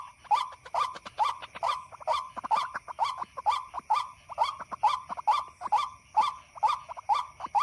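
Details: White-breasted waterhen at night, responding to a played recording, with a rapid steady string of rising nasal notes about twice a second, accompanied by sharp clicking sounds between them.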